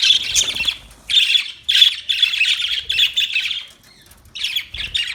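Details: A parakeet gives loud, rasping chirps in a steady run of chattering bursts, about five phrases separated by short pauses, with a brief quiet gap near the end before two more squawky notes.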